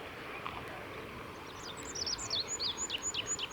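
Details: Olive-backed pipit singing on the Kirigamine Plateau, 15 July 2018: after a quiet start, a fast string of high sharp chirps and slurs, then clear thin whistled notes repeated about four times a second, with faint background noise.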